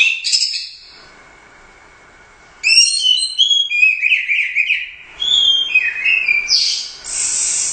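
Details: Competition orange-headed thrush, Royal Cup champion, singing fluent strings of descending whistled notes and slurred warbles after a quieter opening, the phrases tumbling from high to lower pitch before ending in a harsh high burst.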